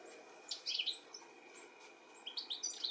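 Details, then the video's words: European goldfinch calling while looking for its young, UK, 13 July 2017; two short bursts of high tinkling twittered notes, near the start and again at the end, over a faint steady hum. "Goldfinch calling and lookink for his baby"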